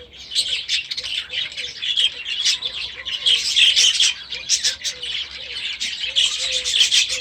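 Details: Young budgerigars bred last year, newly released into a new aviary at the start of the season, chatter as a flock: dense overlapping high chirps and warbles, with a soft low whistled note repeating underneath.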